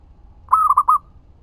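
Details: Zebra dove of local stock, its song used to lure and stir other perkutut to reply: one quick phrase of four rounded, hooting coos, the first longest, in otherwise quiet surroundings.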